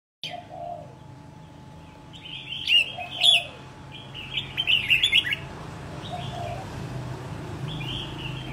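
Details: Captive red-whiskered bulbul (Pycnonotus jocosus), a young bird about a year into training for singing contests, giving short, bright chirping phrases in two bursts, the second a quick run of liquid notes, over a low steady hum.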